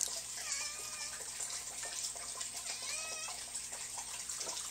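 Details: Young peahens stealing dog food in the morning: two drawn-out, nasal, slightly rising calls about two seconds apart, over a steady hiss like running water.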